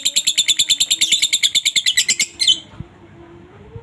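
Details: A lovebird's ngekek, the long chatter used to draw replies from other lovebirds. About two and a half seconds of quick, harsh, high repeated notes, then quiet with faint low chirps.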